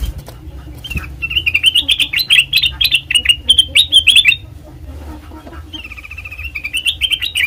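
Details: Black-crested bulbul song meant as a trapping lure: a thump, then a long rich run of fast bubbling, warbled notes, a short lull, and a fresh phrase of gliding whistles rising at the end.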